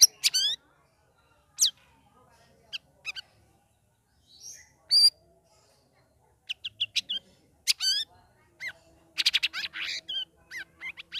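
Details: Ngeriwik ngeplong song of a caged sooty-headed bulbul kept in group hanging for three weeks: isolated bright whistled notes and brief chattering bursts separated by silent gaps.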